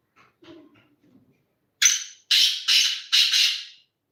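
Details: Black francolin calling: after soft low murmurs, a sharp note with a thin whistled edge, then three harsh, grating notes rapidly repeated, each fading away.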